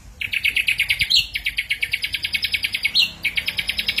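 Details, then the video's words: Ashy drongo singing energetically as a lure recording: long runs of rapid, evenly pulsed notes, about six per second, broken by brief gaps and short sharp upslurred notes, with a faint low rumble underneath. "suara srigunting abu abu gacor"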